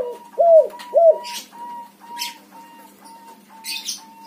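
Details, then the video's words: White backspot spotted dove giving two loud, rounded low coos, then a thin steady tone pulsing evenly every half second while distant high chirps sound. "suara tekukur warna putih BS backspot manggung gacor untuk pancingan burung derkuku macet bunyi"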